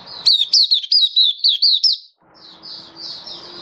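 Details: Malaysian white-eye (mata puteh) kept as a songbird in Singapore, singing happily on a warm, sunny 20 March 2023; about eight quick, high, looping notes in a row, followed by soft, thin twittering.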